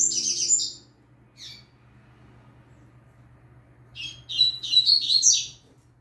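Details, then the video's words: Young Double-collared Seedeater in a training recording with a Green-winged Saltator singing behind; an opening burst of very high buzzy chatter, a short note, a pause, then a string of quick, high, scratchy twittered notes, steady hum below. "Papacapim Novato Cantando Firme Top Pra Treino de Fibra"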